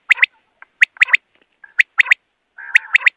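Common quail giving its sharp, liquid three-note 'wet-my-lips' phrase, repeated about once a second, with a faint hum underneath.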